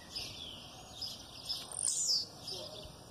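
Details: Blue-black grassquit giving its aggressive song over female calls: a few faint high chips, then a single piercing, buzzy downward-sliding note near the end, with soft twittering around it.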